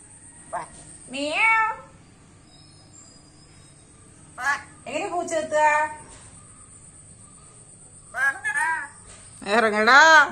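A black-capped lorikeet talks in three short bursts of speech-like, warbling syllables that rise and fall in pitch, with a steady high hiss throughout.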